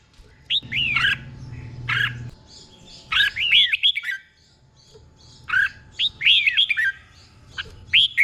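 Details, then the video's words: Caged red-whiskered bulbul from Thailand singing a tutor song for training other birds, with paired doubled phrases: three bursts of quick looping whistled notes separated by short silences, over a low rumbling background. "เสียงนกกรงหัวจุก | สุดยอดนกครู เบิ้ลชัดๆ เบิ้ลเป็นคู่ๆ"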